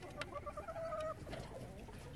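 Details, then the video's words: Chickens in a relaxed flock give a single smooth, sustained, slightly wavering call lasting about a second, followed by quieter low background murmur. "SOOTHING CHICKEN SIGHTS AND SOUNDS!"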